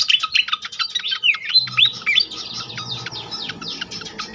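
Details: Pied fantail lure recording: rapid squeaky twittering mixed with looping whistled swoops rising and falling, then a brisk series of short sharp notes over a soft low hum.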